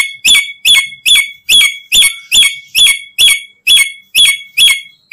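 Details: Harsh repeated squawks of a black-capped lory, played to attract other lories for trapping; evenly spaced strident notes, a little over two per second, each with a sharp upward flick and falling tail, over a quiet background.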